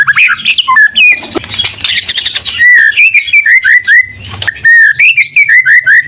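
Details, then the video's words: White-rumped shama singing as a lure for other shamas: mixed scratchy notes at first, then bright whistled notes repeated in quick groups, broken by a short burst of harsher sound before the whistles resume. "Suara murai batu gacor AMPUH buat pancingan murai batu agar emosi LANGSUNG NYAUT"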